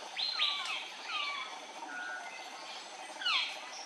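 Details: On Andaman Island, India, in March 2020, an Andaman bulbul gives quick descending slurred notes in clusters, then a brief thin whistle and a final louder down-slurred chirp, with soft background hiss.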